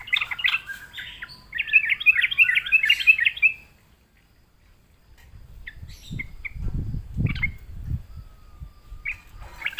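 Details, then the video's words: Sooty-headed bulbul answering a lure with a lively string of bubbly, chattering whistled notes for over three seconds, followed by a pause, then low thumping handling noise and a few faint chirps. "sekali di pancing trucukan malas bunyi pasti Nyaut gacor"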